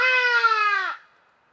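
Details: A Hadada ibis, an African species whose call is given flying to and from roosts, gives one loud, nasal, trumpeting note lasting about a second, rich in harmonics and sliding slightly downward, then fading to quiet; Hadeda Ibis.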